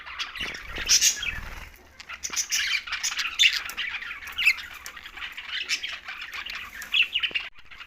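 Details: Green budgerigars at mealtime, tagged Larkana, Sindh, in a dense flock chatter: overlapping scratchy warbles and chirps. One louder squawk rises near the first second, with soft wing flutter and low rumble beneath.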